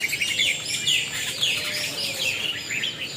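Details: Songbird chirping steadily: dense, high, sweeping chirps and short trills overlap in quick succession throughout, with no pause and a faint background hiss.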